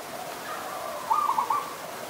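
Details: Adult zebra dove recorded in Ubon Ratchathani, Thailand, on 28 December 2020, giving a short burst of soft, rapid staccato cooing notes lasting about half a second, mid-pitched and slightly wavering, over a steady background hiss.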